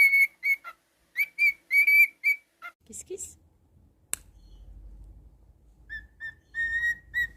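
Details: Male pet cockatiel gives a string of short, bright whistled notes at an even high pitch, falls silent with some rustling and low background noise, then resumes with a few more level whistles.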